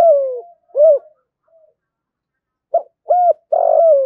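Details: Spotted dove calling to incite fighting: two phrases of mellow, hollow coos, each opening with short rounded notes and closing on a longer, quavering coo that drops in pitch, separated by a brief pause.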